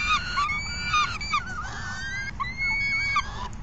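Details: Falcon calls during an afternoon feeding on June 3, 2021: harsh, harmonic-rich notes repeated in quick bursts. Some slur upward and others drop sharply. A low background rumble runs underneath.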